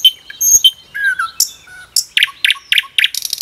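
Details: Common nightingale in a forest giving a varied phrase of high whistles and slurred notes, then a series of loud, evenly repeated chirps, each followed by a low tick.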